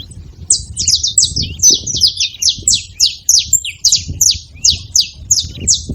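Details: Saffron finches making noise at a feeding spot: a steady, crowded series of high, buzzy, downward-slurred chirps, roughly three or four per second, over low background rumble.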